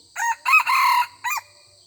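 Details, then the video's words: Red junglefowl rooster crowing in a decoy hunt, greeting the decoy rooster while the wild birds are not yet aggressive: a short opening note, two longer loud segments, a pause, then a brief closing note over a quiet background. "ต่อไก่ป่า ຕໍ່ໄກ່ປ່າຊ່ວງນີ້ໄກ່ປ່າຍັງບໍ່ທັນຫ້າວເທື່ອລອງໄກ່ໃຫມ່ໄດ້ແຕ່ທັກທ້າຍຖາມຂ່າວສະບາຍດີກັນຊື່ໆ"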